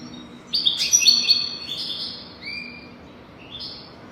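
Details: European goldfinch song used to teach young goldfinches to sing: bright high twittering notes with buzzy slurred phrases and short whistled tones, loudest early then softer trills.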